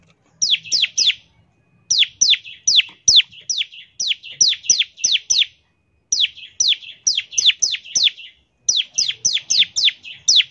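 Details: Bar-winged prinia giving fast 'ngebren' song, meant to get prinias singing: repeated volleys of piercing descending chirps, several notes per burst, bursts separated by brief pauses.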